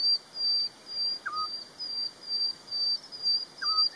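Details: Eurasian scops owl (Otus scops) calling two short, soft, low whistled 'tyoo' notes about two and a half seconds apart, over a loud, steady, high-pitched insect trill.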